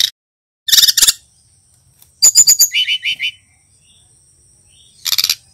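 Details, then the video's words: Young male Brown-chested Jungle Flycatcher from Bali, learning its song with nyiul, ngeriwik and ngeplong phrases: high buzzy chirp bursts, then a run of sharp descending notes and lower repeated buzzy chips, ending in another dense burst. "Burung SRDC bali belajar bunyi - Suara TERAPI pancingan sikatan rimba dada coklat"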